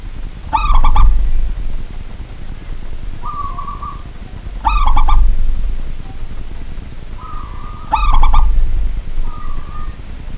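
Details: Pet local zebra dove singing vigorously at night in a home: three bursts of rapid, stuttered harmonic coos, each answered by a drawn-out even coo, repeating roughly every three to four seconds.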